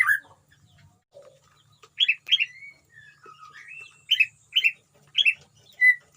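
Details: Captive white-rumped shama singing in a colony cage at a breeding setup, its song holding odd notes picked up from wild birds nearby: a loud opening chirp, soft scattered whistles, then sharp paired chirps repeated about every half second with slurred whistles.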